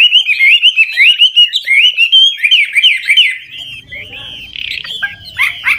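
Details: Chinese hwamei, an old decoy bird of wild origin, singing varied phrases to set newly caught birds singing; a fast chain of bright, twisting whistles, fading into softer scattered notes with faint background rumble.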